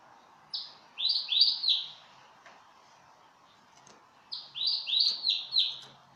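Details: Canary singing for mating, Belgian type: two short bursts of four or five quick chirped notes, about three seconds apart, over a faint steady indoor hum.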